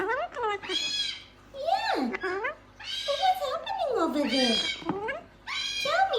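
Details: A male pet gang-gang cockatoo talks in a string of raspy, speech-like phrases, some rising and falling in pitch, with brief pauses between bursts.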